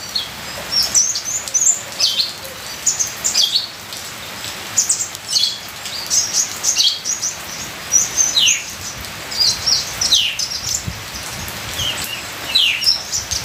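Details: Ninja sunbird song with full varied fill, mixed with the patter of rain: rapid high, thin chirps and short downslurred twitters in bursts of about a second, repeated throughout over a steady hiss.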